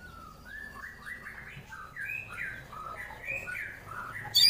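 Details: White-rumped shama from Wonosobo, Central Java, its full 'tembakan kasar' song used to provoke rival birds into fighting: a quiet, steady run of short whistled notes stepping up and down, over a low background hum.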